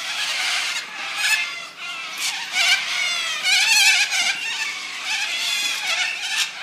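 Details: Flock of up to 100 little corellas in Brighton East's Landcox Park, June 26, 2013, giving a continuous wall of harsh, grating screeches from many birds at once, swelling and dipping in loudness throughout.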